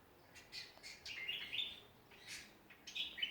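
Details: Australian songbirds in a backyard at Ballajura, Western Australia: a scatter of bright chirps and short squeaky notes, several rising, coming in irregular bursts over a quiet background.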